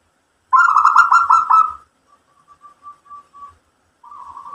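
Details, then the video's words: Local zebra dove singing and answering: one loud rapid rolling trill of about a second, then a string of faint short coo notes and a softer smooth coo at the end. "PERKUTUT LOKAL GACOR mbekur Ngerot memancing EMOSI jadi NYAUT BUNYI ikut MANGGUNG"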